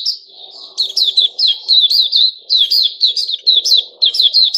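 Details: High, rapid chirps repeated in a steady rolling stream from a captive white-crowned shama growing new feathers, 6 September 2021, with a faint low hum beneath.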